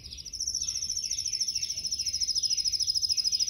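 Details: Yellow canary in a cage, training song: a high, fast, evenly repeated trill held for several seconds over faint lower twittering and light background noise.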